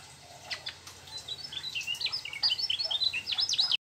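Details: Mugimaki flycatcher rolling out song with trucuk mimicry: sparse chips build into a fast, buzzy chatter of zigzag notes that grows louder toward the close.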